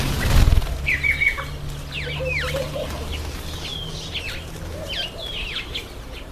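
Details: Masked weaver in its September–October breeding season: clear high downslurred whistles and twangy swooping notes in small clusters, with a brief thump at the start and faint low hum.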